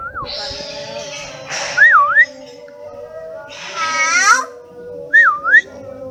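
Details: Pet hill myna, said to speak the greeting "Assalamualaikum"; two wavy whistled phrases, each dipping and rising, separated by harsh raspy bursts, with a person's voice and room noise in the background.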